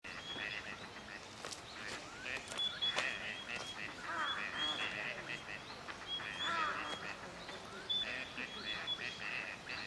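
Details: Wintering Gadwall in courtship display for pair formation at Junsai-ike green space, Chiba, Japan, November 2025. Many overlapping short nasal calls and thin high whistles come in dense bursts throughout, with a steady murmur of background noise.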